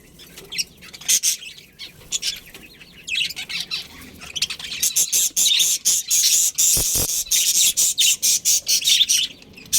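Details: A budgerigar breeding pair within a colony makes dense, scratchy, high-pitched chatter. It starts scattered, then turns into rapid bursts of harsh chirps, several each second, toward the end.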